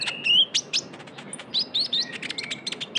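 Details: Lively young Javan white-eye used as a lure: a short rising whistle, then quick, squeaky high chirps and little upslurred notes in uneven bursts, ending with a thin whistle.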